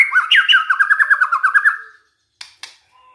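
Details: White-rumped shama song used as a lure to provoke other shamas into singing: a rapid run of about a dozen repeated looping notes, followed by sharp clicking chak notes.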